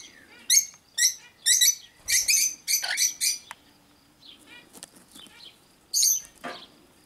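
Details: Cockatiels giving a series of harsh, scratchy chirps about twice a second, then a pause with faint softer notes and a final louder pair of calls.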